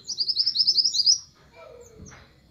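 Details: Orange minivet calling to its flock, giving a rapid run of about ten sharp, high, upslurred whistled notes in just over a second, followed by a softer lower note and a short rustle.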